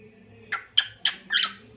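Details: Lutino cockatiel giving four short, harsh squawking chirps in quick succession, each slightly rising, with faint room hum beneath.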